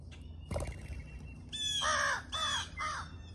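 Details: A pair of crows being fed in the morning, very vocal: a soft knock, then three harsh, hoarse caws in quick succession, the last two slightly shorter, over quiet outdoor background.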